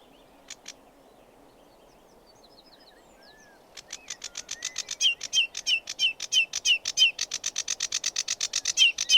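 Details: After a few scattered notes and faint distant birdsong, a sedge warbler launches into a quickening run of loud, clipped chattering notes with brief whistled inflections.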